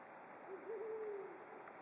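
A brown wood owl gives a single low, soft hoot that wavers briefly and then holds steady for under a second, over quiet background hiss.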